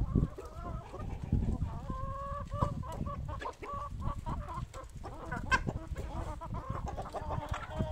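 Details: Hens crowding at feeding time, repeated short clucks and brief drawn notes from several birds, with thumps and pecking sounds throughout.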